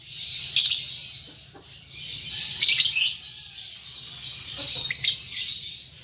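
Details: Young lovebird, a baby bird learning to chatter and trill, gives harsh high buzzy bursts about every two seconds over a continuous hissy high-pitched chatter, with a faint low hum beneath.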